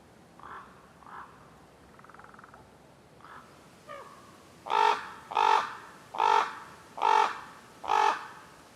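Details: Common ravens calling in wild acacia woodland: a few faint distant croaks, then five loud, harsh, hoarse caws spaced under a second apart in the second half.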